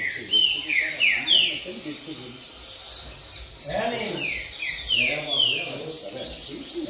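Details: Double-collared seedeater, a brown-plumaged bird, singing firmly at a singing contest circle. It gives repeated high downslurred whistles in two bursts, broken by a man's voice in the middle.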